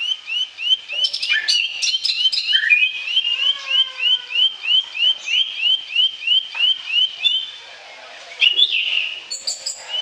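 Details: Bar-winged prinia song, a lure for mute or sluggish birds: a long, fast, steady train of high upslurred notes with lower whistled slides in the middle, briefly pausing before resuming with sharper notes.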